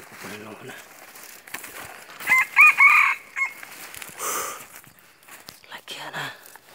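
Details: A red junglefowl, recorded 2/4/2019 during wild junglefowl decoy luring, gives one short, hoarse crow of about a second, clipped at the end; faint human voices are heard before and after.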